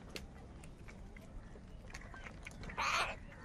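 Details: A crow, among crows said to be fighting over food, gives a single harsh, nasal caw near the end, over a low murmur of background noise and faint voices.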